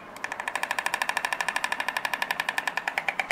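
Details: White Stork, nesting on village roofs and barns, clatters its long bill in a fast, dry, wooden rattle, about three knocks per second, hollow and resonant, amplified by throat sacs acting as resonators.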